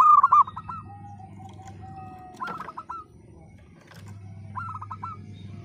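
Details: Local zebra dove with a 'broken voice' song, used to spur silent, lazy birds to sing: one loud, rapid staccato cooing phrase at the start, then two fainter similar phrases, over a low hum.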